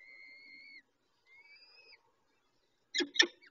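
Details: Peregrine falcon at a nest while a female feeds chicks: two drawn-out, thin whistled calls, level and slightly falling, followed after a pause by two sharp, loud clicking knocks.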